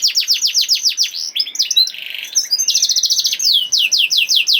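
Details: Canary in 'nembak' song used to get lazy canaries singing: quick falling notes, a jumbled rattling passage, then a loud fast trill and rhythmic down-swept whistles.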